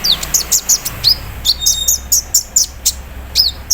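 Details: In the morning dew a caged olive-backed sunbird sings embroidery-machine imitation, 'cerrr' style. Dense, fast-paced high chirps and squeaky downward slurs follow each other almost continuously, with a short thin steady whistle in the middle.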